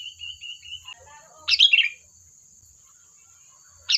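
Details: Chattering sooty-headed bulbul calling to coax other birds to respond; a thin sustained whistle and faint lower notes lead into one loud bubbly chirp phrase, then quiet before another starts at the end.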